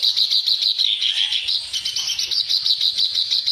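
Reed warbler song: a fast, unbroken run of harsh, grating chattering notes, about three a second, held in a high, narrow pitch band.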